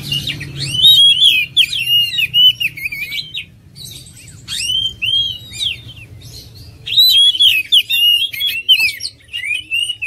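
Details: Three dense bursts of oriental magpie-robin song, each packed with looping whistled notes and sharp chirps, with quiet gaps between them.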